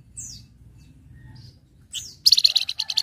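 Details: Flamboyan in full song for training other birds: two high falling slurred whistles, then a sudden loud rapid trill of sharp repeated notes running to the end.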